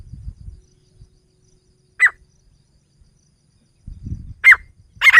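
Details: Grey francolin female call used for partridge hunting. Short, harsh, strident notes: one isolated note, a pause, then two notes close together near the end. Low rumbling noise sits underneath.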